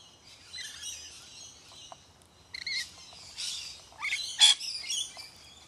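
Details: Lorikeets eating sunflower seeds: high, harsh screechy chattering and shrill squeaks in overlapping bursts, with a quieter gap in the middle and a sharp piercing squeal near the end.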